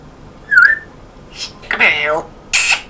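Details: Pet African grey parrot talking with a northern English (Yorkshire) accent indoors: a brief whistled squeak, then breathy hissing consonants and a voiced speech-like phrase ending in a sharp hiss.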